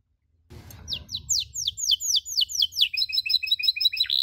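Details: Canary master recording for teaching cuit cuit: after brief silence, a series of clear downslurred chirps about three per second, ending in faster clipped twittering and one falling note.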